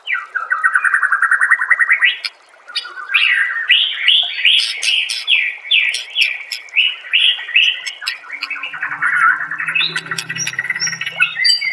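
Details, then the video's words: White-rumped shama, a master recording used to train songbirds: long varied song of whistled rising phrases and rapid repeated chirps, dense and continuous, with a faint low hum late on. "Masteran murai"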